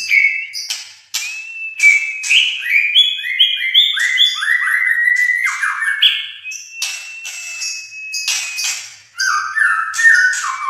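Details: Captive white-rumped shama of the albino and blorok colour mutations, singing a varied string of clear whistled phrases that slide and step between notes, with sharp clicks and a brief break near the end.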